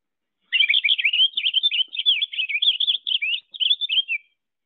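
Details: Purple Finch song from central Wisconsin backyards: a rich, rapid, rambling warble of bright, high notes, running almost four seconds with one brief break near the end, over a clean background.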